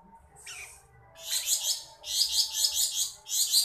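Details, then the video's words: Javan black-headed bulbul singing for use as a training recording for songbirds: a sweeping buzzy note, then three long bursts of fast, harsh, high chattering trills split by brief gaps. "Beset'an Cucak jenggot jawa"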